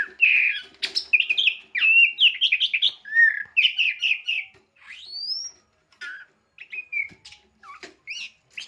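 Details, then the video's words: Oriental magpie-robin, a prize-winning songbird kept as a pet: fast, varied song of high chirps, trills and whistles, with quick stuttering bursts, a rising whistled slide, then sparser scattered notes. "Burung Kacer istimewa beberapa kali juara"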